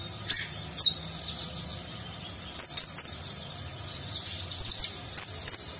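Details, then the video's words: High, thin sunbird notes from a konin singing nagen style for contest training: isolated sharp chips spaced apart, with a couple of quick double and triple tweets. "Konin Gacor Isian Mewah Gaya Nagen"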